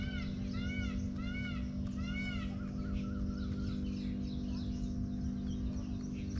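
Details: Indian peafowl screaming: several short, arched, harmonic calls come in quick succession during the first two and a half seconds. Fainter calls follow under a steady low hum and background noise.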